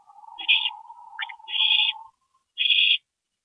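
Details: Owl at its nest at night, 22 April 2012, with a parent dropping in; three drawn-out, harsh hissing screeches overlapping a low, steady tonal hum that stops midway.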